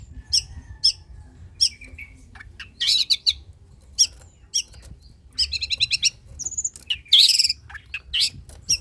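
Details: Varied song of a long-tailed shrike used to prompt other shrikes to sing: scattered sharp chips, then a scratchy buzzing rattle, a pair of high pure whistles and a loud rasping burst near the end, low hum behind.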